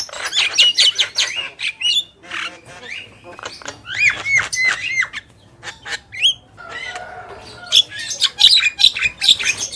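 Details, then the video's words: A pair of Javan mynas, male and female, singing energetically with rapid chattering squawks, scratchy bursts and bright upslurred whistles tumbling over one another. "Jalak Kebo Gacor | Burung Jantan dan Betina"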